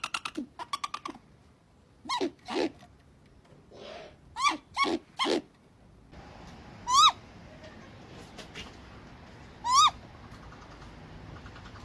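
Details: Great grey owl (Strix nebulosa) giving short, harsh, rising yelps in scattered bursts, some paired, with long gaps between, over a steady faint hiss.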